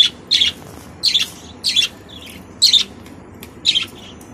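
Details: Budgerigar chicks give harsh, raspy high calls in short bursts, six of them spaced about half a second to a second apart, with quiet between.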